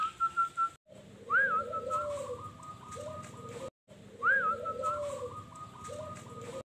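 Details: A local wild zebra dove in Sukowiono village, Tulungagung, Indonesia, once kept and later released, sings a short phrase of soft whistled coos running into a quick bubbling trill, heard twice, with faint hiss.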